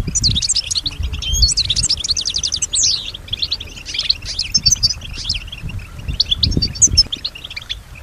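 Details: Caged female European goldfinch singing with imitation of nearby sounds: rapid trills and chattering runs, a downslurred buzzy note, then sparser twittering chirps over low background rumble.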